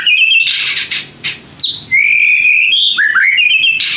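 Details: Kept white-rumped shama singing to spur other shamas into responding; a continuous stream of buzzy chatter and long level whistles, ending with quick rising slurred notes.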